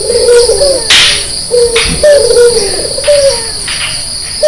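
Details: Morning cooing of a white Barbary dove with red eyes, brief low purring notes spaced by pauses, with sharp clicks and a steady high-pitched insect whine in the background.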